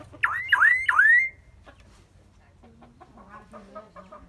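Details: Common myna with a varied repertoire, said to learn human sounds: three quick, loud whistles, each dipping and rising, then quieter murmuring notes and faint background sounds.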